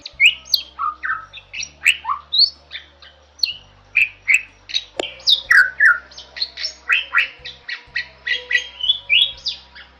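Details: Bali myna, a species described as increasingly rare in its wild habitat, in a tutoring recording: a fast run of varied chirps, squawks and short slurred whistles, mostly high-pitched, over a steady low hum.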